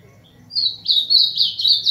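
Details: Short burst of ultramarine grosbeak song, 'azulão máquina' style: after a quiet lead-in, a bright warbled phrase of quick slurred notes rises in intensity over about a second, with a steady low hum underneath.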